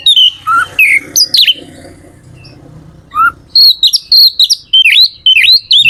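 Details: Caged Oriental magpie-robin song used to excite other birds to sing: rich whistled notes and slurred phrases, at first over a low humming background, then clear repeated rising and falling whistles in quick bursts.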